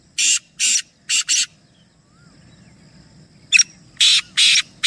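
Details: Black francolin, among three birds, repeating its rasping call twice: a phrase of four grating notes, a pause of about two seconds, then a sharp note and three more harsh buzzy syllables.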